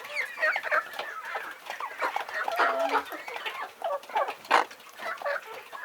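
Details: Farm chickens in a busy flock, with overlapping clucks and squawky calls coming in dense bursts and one sharper loud cackle near the end.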